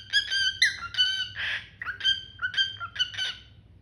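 A cockatiel gives a run of short, harmonic chirps and squawks around two kilohertz.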